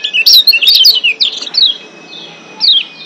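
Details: Wild-caught Lombok white-eye in breeding excitement: a quick cluster of thin, high, descending twitters, a pause, then a single down-slurred note.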